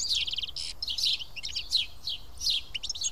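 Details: House sparrows, seven of them, perched and feeding together at Karyotissa in Greece, give a quick jumble of high chirps, including a short rattle of rapid repeated notes at the start.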